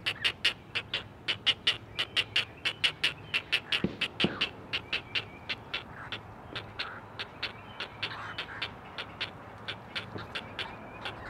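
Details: At a Chesapeake nest under a live camera, four great blue heron chicks call to their mother: fast, rhythmic, rattling clicks, loud at first, then softening and slightly spreading out toward the end.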